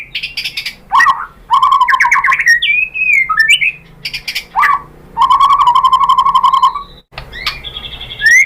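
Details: White-rumped shama (murai batu) song used as a provoking track to stir other shamas into singing; loud varied phrases of rich whistles, rapid buzzy trills and sharp chirps with brief pauses between bursts.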